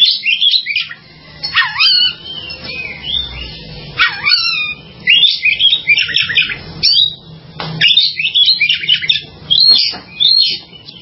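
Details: Oriental magpie-robin singing a rich, varied song of whistled notes, sharp rising and falling slurs and quick chattering phrases in bursts separated by short pauses, with a faint low hum underneath.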